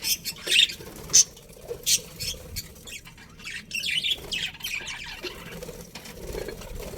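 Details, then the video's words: Budgerigar colony including a breeding pair, giving sharp chirps and squeaky squawks, spaced at first, then a fuzzier stretch of mixed chatter with low background noise. "Colourful Budgies Chirping Sounds"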